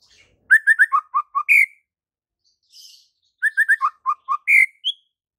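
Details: White-rumped shama singing energetically, its song full of varied phrases. Twice it gives a brisk run of bright notes falling to a lower trio and ending in a strong upswept whistle. A short higher note closes the clip, and a faint buzz sits between phrases.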